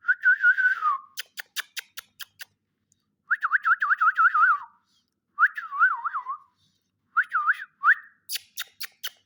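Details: Pet green ring-necked parakeet whistling indoors: bursts of quick wavering, trilled notes that rise and fall, about one to two seconds each, separated by sharp repeated snapping clicks.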